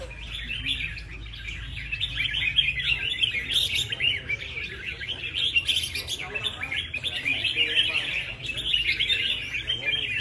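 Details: Red-whiskered bulbul, a competition bird that has never missed a prize, filmed close-up; dense bright chirping and quick warbled phrases, steady and busy throughout, with occasional sharper high notes and a low background hum.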